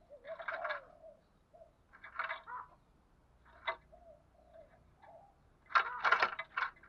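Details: Spotted dove decoy calling in the thúc gù and gáy gọi styles to rouse other doves: harsh, distorted, throaty coo phrases repeated about every one and a half seconds, with a loud rough burst near the end.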